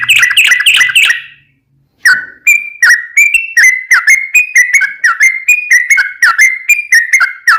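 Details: Loud yellow-vented bulbul song in the long 'ropel' style, meant to make other bulbuls sing back. Fast, sharp whistled chirps come in a steady string. A short silent gap falls early, then the series resumes, alternating higher and lower notes.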